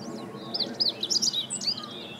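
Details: Meadow bunting singing on 20 March 2015: a brisk phrase of high, sharp, varied notes, some rising and some falling, delivered in about a second and a half over a faint low background hum.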